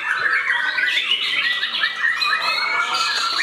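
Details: White-rumped shama actively attacking a rival, pouring out a dense, fast stream of whistled and scratchy notes with rapid rising and falling slurs, continuous and loud throughout.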